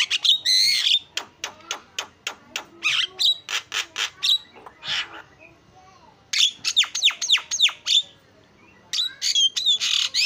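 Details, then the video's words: Javan myna singing vigorously with a filler-rich song, used as a lure for other birds: bursts of harsh, scratchy notes and sharp rising whistles, a fast run of clicking pulses, then two more noisy phrases after short pauses. "JALAK KEBO KICAUAN PALING KREN SUARA ISIAN"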